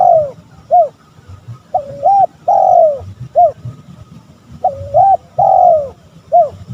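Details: Male spotted dove calling to provoke rivals, repeated low cooing phrases of short hooted notes and longer descending coos, grouped in bouts with pauses, over faint low background noise.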